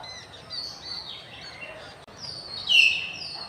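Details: Common hill mynas on a campus in afternoon light, 6 February 2024: loud, sharp whistled calls with a bright downslurred note near the end, over a background chorus of thinner whistles from other birds.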